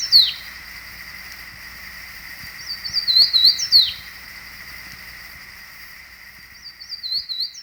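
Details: Fan-tailed warbler on a mountain above Tuxtla Gutiérrez, Chiapas, Mexico, recorded 26 May 1953: short bursts of high, thin, rapidly slurred notes, spaced a few seconds apart, over the steady hiss and hum of an old tape.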